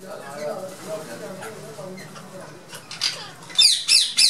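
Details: Ring-necked parakeets in an aviary colony in Lahore, coming down to soaked lentils in summer, give three or four loud, harsh screeches near the end, each about a third of a second, after low murmuring voices while calls to prayer sound.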